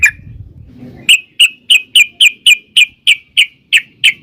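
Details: Sooty-headed bulbul calling in a steady series of short, bright chirps, roughly three per second, following a brief low rumble at the start.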